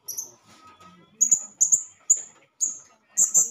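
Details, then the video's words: Male blue-crowned hanging parrot calling as a lure to provoke other hanging parrots: a series of thin, very high, sharp squeaky notes, about one every half second, with faint low background murmur between them. "SERINDIT GACOR MEMANGGIL || pancingan ampuh bikin serindit lain emosi"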